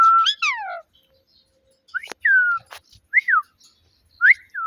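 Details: Pet talking parrot giving clear whistled notes that swoop down, then short rising-falling whistles after pauses, in a quiet indoor room.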